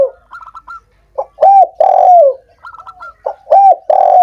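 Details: Two spotted dove cooing phrases for stimulating reluctant doves, each ending in a long sliding coo, preceded by bursts of quick high chirps.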